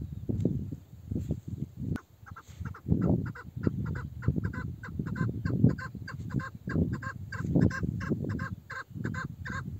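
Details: An old female chukar partridge, said to have a male-sounding voice, calls in repeated short clucking notes that grow steadier and clearer in the second half, partly masked by strong low rumbling noise and a sharp click.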